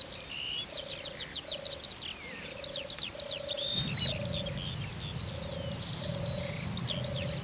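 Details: European turtle dove in courtship display at a watering place in Turianchay Reserve, Azerbaijan: soft low purring phrases repeated roughly every 0.8 seconds, beneath dense high chirping and twittering of many small birds, with a low rumble joining midway.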